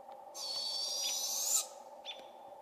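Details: Juvenile Barred Owls in a British Columbia forest calling for their parents: one long raspy, hissing screech of about a second and a half, followed by a brief high chirp.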